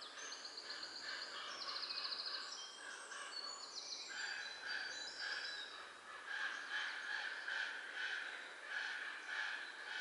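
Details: Four hungry common raven nestlings, about three weeks old, begging in the nest in the Göttingen region of Germany on 24 April 2022: harsh, rasping, continuous calls under steady background noise, with thin trilling songs of other birds.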